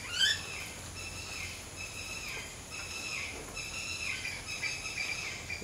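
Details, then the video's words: Common myna singing non-stop, a steady run of high, rasping, chattering notes with a few rising chirps at the start, over a faint background hiss. "Common Myna Singing Non-Stop in Beautiful Melodies"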